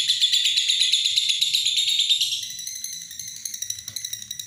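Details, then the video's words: Lovebird giving long ngekek chatter: a fast, unbroken rattle of high, bright trilled notes that slowly rises in pitch, then thins into quicker, lighter clicking chatter. "Love bird ngekek panjang"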